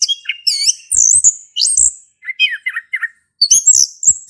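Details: Male orange-headed thrush, ngeplong song used as a lure for silent birds: looping high whistles and warbled slurs, then lower chirping notes, with brief gaps between bursts.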